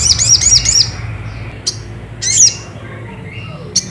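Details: Ruby-cheeked sunbird calling to stir another bird into song: a quick run of four high, slurred chirps, then isolated single sharp notes amid quiet low hum.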